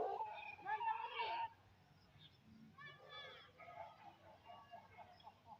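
An Aseel rooster finishes a loud, hoarse, drawn-out crow lasting about a second and a half, followed by quieter chatter and what sounds like people talking.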